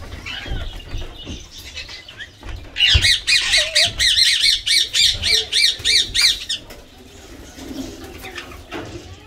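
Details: Pet Indian green ringneck parakeet taking a shower: after scattered quiet chatter, a loud burst of about fourteen rapid, rhythmic, grating screeches, then quieter chirps and background rumble.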